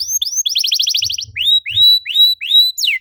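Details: Lure song of a canary, meant to prompt other canaries to sing: a brief rapid rattle of notes, then several rising, upswept whistles spaced about half a second apart, with soft low knocks beneath.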